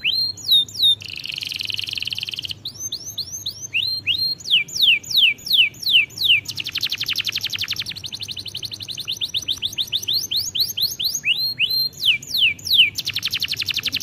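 A canary sings fast, bright tours of sweeping whistled notes broken by dense buzzy trills.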